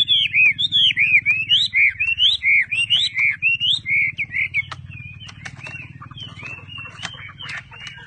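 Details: Caged Chinese hwamei kept by a bird trader in Vietnam, singing a fast run of loud, bright, slurred whistled notes for about four seconds. The phrases then fade into softer twittering and clicks over a low hum.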